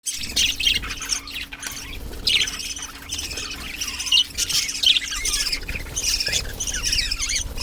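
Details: Breeding budgerigars in Chennai chatter continuously with bright, scratchy chirps and warbles.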